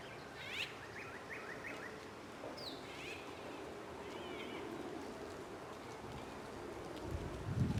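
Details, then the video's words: A White-browed Robin-Chat gives faint, high, rising notes in short clusters every second or so, over a steady low rumble of background noise. "White-browed Robin Chat"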